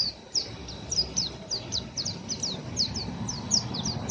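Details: An untrained young oriental white-eye giving its rough chatter as a steady run of thin, high, down-slurred chips, several per second, over faint low background hum.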